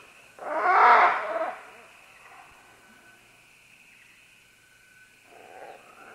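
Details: One loud, raspy screech from green-winged macaws descending along vines, lasting about a second. A long near-silent stretch with a faint hum follows, then a soft squawk at the close.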